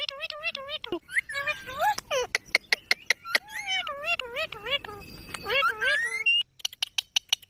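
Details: Green parrots talking: a busy run of tonal, wavering notes that rise and fall and bend like speech, mixed with sharp clicks and short high ticks, ending in a series of quick high taps.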